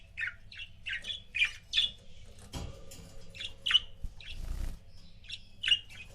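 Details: Pet budgerigar couple chirping indoors: short bright chirps repeated in loose bursts, with occasional thumps and rustling between calls.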